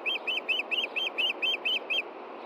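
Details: Osprey on its nest in Montana on a June 2013 evening while hunting for a hidden fish after the chicks' feeding. Nine loud, clear chirps, evenly spaced about a quarter second apart, then quiet.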